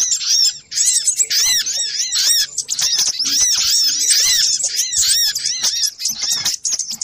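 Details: Lure recording of little spiderhunter: dense, frantic chatter of high arched squeaky notes, several overlapping, steady throughout with brief dips.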